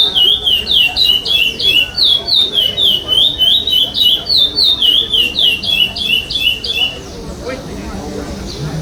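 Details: Chestnut-bellied seed finch (curió) singing in a 2021 state competition, no-repetition style: rapid rhythmic whistled slurs, each note swooping up and down, about three per second for seven seconds, then stopping, leaving room noise.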